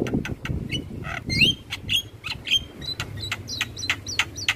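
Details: Morning song from a Javan myna, used to teach young mynas: rapid sharp clicks interspersed with brief rising whistles and twisted notes, over steady low rumbling noise.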